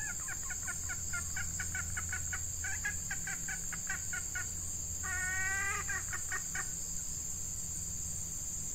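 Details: Female red junglefowl kept as a decoy to draw wild males during hot breeding weather: rapid series of clipped clucks, then a longer drawn-out harmonic cackle near the middle, backed by constant high insect buzzing and low rumble.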